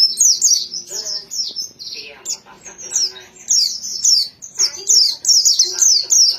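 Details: High-pitched white-eye song: quick downslurred whistles and sharp chirps in uneven bursts, roughly two notes per second, with short gaps between phrases.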